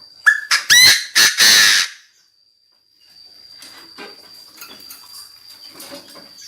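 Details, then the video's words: Decoy Chinese francolin calling to gather the flock, delivering a rapid burst of loud, harsh, ringing syllables in about two seconds, then a pause and faint rustling with a steady high whine in the background. "Tiếng chim đa đa gọi bầy chim đa đa mồi gáy cực căng"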